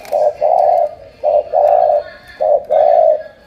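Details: Loud, clear coos of a spotted dove, described as 'tú', from Cà Mau, Vietnam: three phrases, each a quick note leading into a long mellow one, about 1.2 seconds apart.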